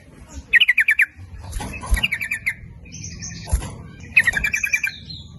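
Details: Sooty-headed bulbul lure song in the 'nguplik ropel' style, meant to draw males and females: three fast bubbling phrases of five to six liquid notes each, with thin higher chirps between.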